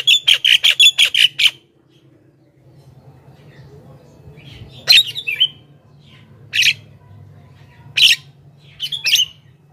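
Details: Javan myna song used to lure wild mynas: a rapid burst of about eight harsh, squawky notes, then scattered sharp chattering calls and brief squeaks over a low steady hum.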